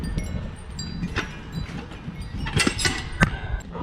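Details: Scattered clinks and chime-like taps over a low rumbling background, with no animal voice heard.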